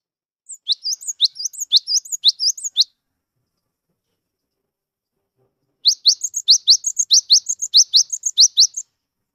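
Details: Cinereous tit (gelatik wingko), wild-natured yet vocal, singing to trigger song in silent birds; two bursts of fast high upswept notes and thin whistles, each lasting about two to three seconds, separated by a quiet pause.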